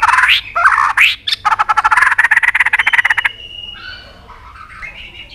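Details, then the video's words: White-rumped shama singing fiercely to provoke inhibited birds. Harsh rising squawks give way to a fast, rattling series of about a dozen clicks with a buzzy undertone, then soft, thin whistled notes. "kích chòe lửa hót cực sung.chòe lửa hót tạch liên tục kích thích chim ức chế"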